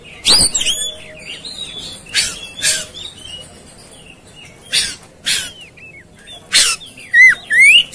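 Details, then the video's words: Oriental magpie-robin, raging and ready to fight, gives harsh rasping blasts alternating with curved whistled slurs, ending in a run of rising whistles and scratchy notes. "Kacer Ikut Ngamuk Tarung"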